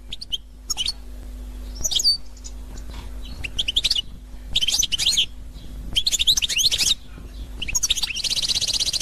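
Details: Constantine-type European goldfinch, 2021, singing in bursts of rapid, high, tinkling twitters and buzzy trills, separated by short pauses, ending in a dense metallic buzz; a faint low steady hum underneath.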